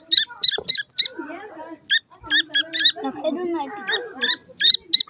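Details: Young francolin chicks peep while they feed: sharp, high, squeaky notes in short irregular runs over low background murmuring and rustling.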